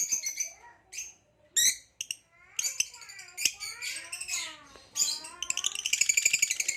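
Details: Captive hybrid male and Lilianae Nyasa lovebirds chattering: high scratchy chirps mixed with lower twittering slurs, closing in a fast buzzy trill.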